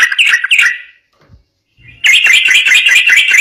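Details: Brief burst of yellow-vented bulbul 'ropel' song, recorded to get other bulbuls to sing back. A short chatter is followed by a silent second, then a dense run of bubbly notes.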